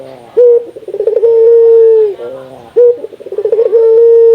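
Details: Barbary dove of local Indonesian stock, calling to encourage other doves to call, with sharp rising notes leading into rolling trills and a long level coo, the pattern given twice.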